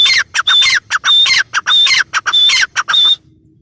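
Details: Loud, hoarse, rhythmic notes from a female grey francolin, known locally as teetar, alternating short clipped sounds with longer whistle-topped phrases before stopping abruptly.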